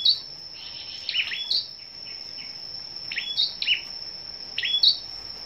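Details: Competing scarlet-backed flowerpeckers at a morning bird gathering on 10 May give sharp, high chirps in short clusters, several falling flicks in a row, against a continuous thin electronic-like whine.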